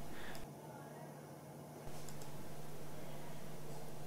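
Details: Low indoor hum and broadband noise with a brief dip in level, no animal calls heard.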